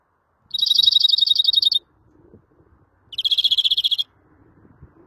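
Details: Greenfinch gives two long, rapid, rattling trills, each a fast even series of high notes lasting about a second, separated by a quiet pause with faint low background noise.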